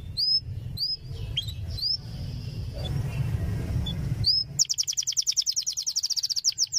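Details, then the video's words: Canary tutor song for training young canaries. Sparse high rising chirps are heard over a steady low rumble, then a fast, bright, evenly pulsed high trill takes over to the end. "suara masteran kenari paud belajar bunyi"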